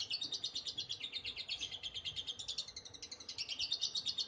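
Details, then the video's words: Continuous high, buzzy chips about three per second in the liyer konslet style, kept up throughout by a lovebird over a soft background hiss. "tetap liyer konslet , tetep konslet liyer-liyer dengan tambah durasi"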